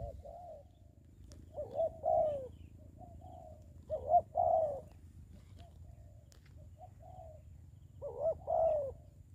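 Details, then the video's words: Spotted dove decoy set on the ground for trapping during the COVID-19 season, giving separated bursts of throaty coos every few seconds, with quiet pauses and faint clicks between. "bẫy cu gáy cùi bắp clip17(bẫy cu gáy mồi đất ) đánh cu gáy mùa covi19"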